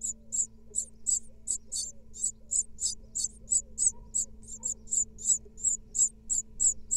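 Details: Great tit nestlings from a five-egg second clutch, fed by the female at a nest-box camera in Israel in 2022. High, thin, hissy calls repeated rapidly, about three per second, in a steady insistent stream with a low hum beneath.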